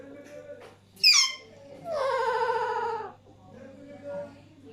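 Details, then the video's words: Alexandrine parakeets sharing food while a third bird laughs: a quick upward shriek, then a long, harsh, falling squawk of about a second, and softer throaty notes. "Two alexander parrots sharing food while third one is laughing."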